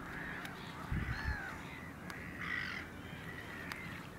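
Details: One Caspian gull, recorded on 9 March 2016, calling in harsh, wailing notes, with a louder, longer cry midway through, over faint low thumps and background noise.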